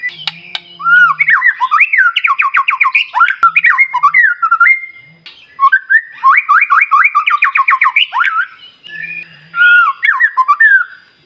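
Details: White-rumped shama song meant to stir up other shamas: two long bursts of fast, rolling whistled notes sweeping up and down in rapid series, separated by a short gap, with a faint low hum underneath at times.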